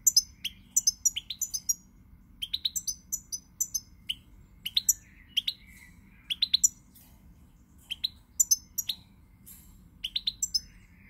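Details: Recorded 20 March 2020, a European goldfinch delivers repeated clusters of bright, tinkling chirps and high twitters, each burst under a second long and separated by short gaps, against quiet low background hum.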